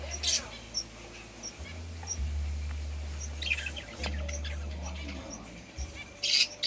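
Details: A budgerigar kept in an indoor garden gives brief, scratchy chirps in short bursts over a steady low hum.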